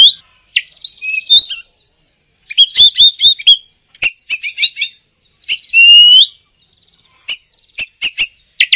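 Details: Oriental magpie-robin singing energetically: bursts of quick chirps, clicks and rattling notes mixed with short whistled slurs, broken by brief pauses between phrases.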